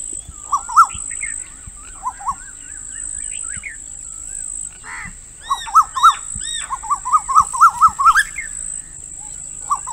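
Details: Female Asian koel repeating quick strings of sharp, bouncing notes that build into a long fast series near the end, over a steady high whine with scattered chirps from other birds.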